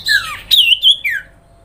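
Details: Sooty-headed bulbul calling grincingan to draw a response from other birds: a falling slurred note, a high wavering phrase, then another downslurred whistle, all harsh-edged.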